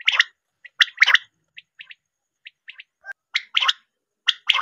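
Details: Quail call used for hunting: short, scratchy, gargling bursts in uneven clusters, some doubled or tripled, about one burst a second. Faint clicks fall between the bursts, and no other sounds are heard.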